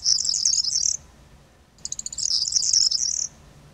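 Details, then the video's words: Corn bunting singing from a perch in autumn: two bursts of its repetitive song, each opening with fast ticks that blur into a high, glassy jingling rattle about a second long, separated by a short pause. "Escribano Triguero posado cantando"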